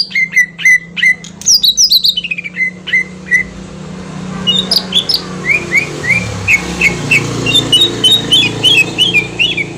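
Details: Green leafbird song used as a lure to make another bird respond: loud whistled phrases around mid-high pitch, slurred notes and rapid chirps in quick series, with a low hum underneath.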